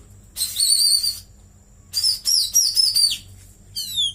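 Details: Caged Oriental magpie-robin giving cililin-style song: a long high warbling trill, a pause, then a chain of bright whistled slurred notes and a final burst of rapid falling chirps.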